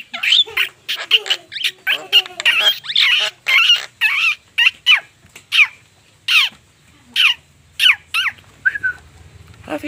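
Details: Javan myna, unedited recording: rapid harsh, chattering notes, many sharply downslurred, repeated several times a second at first, then spaced about every half second toward the end.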